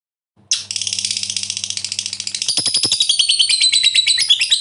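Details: Lovebird, a fighter-type bird in long ngekek chatter meant to provoke other lovebirds into singing; after a brief start, a fast, shrill, buzzy trill of rapid repeated notes builds steadily over about four seconds, with a low hum underneath early on.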